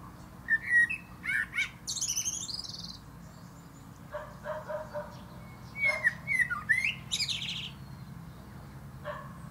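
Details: Male common blackbird in song atop a plum tree, giving two rich fluted phrases several seconds apart, each broken by high, scratchy twittering. A low background hum is present throughout.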